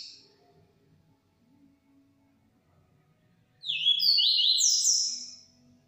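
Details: Yellow-bellied seedeater singing a 'transformado' song: after several seconds of quiet low background noise, a single bright phrase of high slurred whistles rises and falls, lasting under two seconds.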